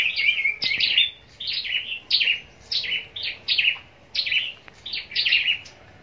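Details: Caged scarlet-backed flowerpecker kept for contest singing in Long Thành, southern Vietnam; loud, sharp, high twittering phrases, about ten short bursts in six seconds, each note dropping in pitch, with a faint click.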